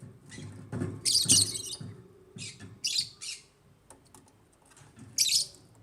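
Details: African lovebirds in an aviary uttering bright, high chirps in clustered bursts with quiet gaps between, some low knocking sounds underneath.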